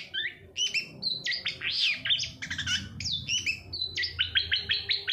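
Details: Long-tailed shrike song used as a lure to stimulate silent or lazy shrikes to sing: a rapid jumble of varied chirps, whistled notes and short harsh squeaks, mostly high-pitched, with quick shifts between phrases.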